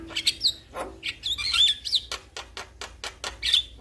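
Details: Male Javan myna calling other mynas: squeaky high whistles and scratchy squawks mixed with a string of sharp clicks, ending in one more bright whistled note.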